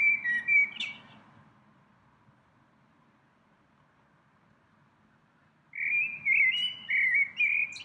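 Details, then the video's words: A single little bird sings in spring from a tree it visits many times a day: a short high warble, several seconds of quiet, then a rippling run of bright whistled notes. "鸟鸣 一只小鸟儿的单口相声"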